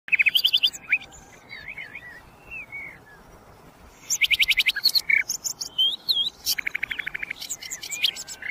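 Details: Common nightingale (sikatan londo) singing: a quick stuttering run of bright notes, brief whistled slurs, a pause, then a long burst of rapid dry repeated notes and high chips ending in a fast rattle.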